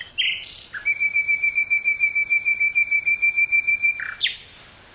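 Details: Singing common nightingale, woods near Burgh-Haamstede, Netherlands, 18 May 1983: after sliding opening notes comes a long run of some twenty identical piping notes delivered very rapidly at one pitch, closed by a low note and an upward flick; cassette recording.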